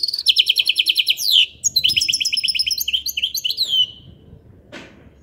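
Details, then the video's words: Goldfinch hybrid song: rapid, high, chattering phrases of repeated twittering notes, then a short gap and a second burst of varied trills and slurred notes. The song fades into quiet after about four seconds, with one faint knock. "تغريد الحسون بصوت الهجين"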